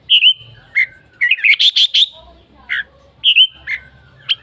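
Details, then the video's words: Red-whiskered bulbul song: a rolling whistled opening, then a quick series of bright stuttering chirps, followed by several separate slurred whistles and a final short high note. "Noog diab kaum lauj quaj thiab seej heev"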